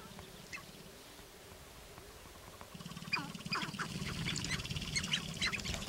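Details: Sharp-tailed grouse displaying on a lek in Northern Wisconsin, April 29, 2021. Quiet at first, then a fast low drumming pulse starts and builds, overlaid by dense bursts of harsh chirping and cackling.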